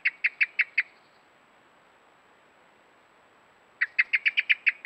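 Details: Common blackbird (Turdus merula) alarm call by a pond, given after carrying worms in its beak onto a trailcam: five sharp clucking notes, a pause of nearly three seconds, then about eight more in fast succession.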